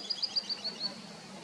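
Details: Southern beardless-tyrannulet singing in Juquery State Park, São Paulo State, Brazil, in September 2022, a quick series of six thin, high whistled notes that drop slightly in pitch and fade away, over faint background hiss.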